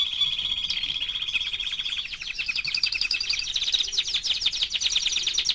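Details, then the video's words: Canary of four months in steady song: a high sustained rolling trill that shifts into rapid pulsed notes climbing slightly in pitch, continuous throughout. "Кенар №1 ( 4 месяца)"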